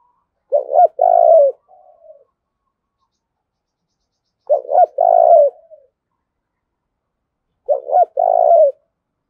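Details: Spotted dove kept as a decoy, cooing to incite rivals: three identical phrases about four seconds apart, each two short notes and a longer throaty coo, with a faint soft tail after the first.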